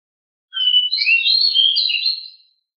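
A Pied Bushchat gives a quick, high, scratchy warble of run-together twittering notes lasting about two seconds, with no other sounds.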